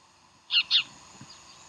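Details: Bald eagles at Decorah, recorded on the morning of January 15, 2012: two sharp, high, squealing notes in quick succession, then a faint low thump over a quiet background hiss.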